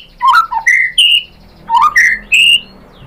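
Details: White-rumped shama lure song meant to provoke a bird into singing: two short bursts of rich whistled notes, each climbing stepwise from low to high, separated by a pause of about half a second.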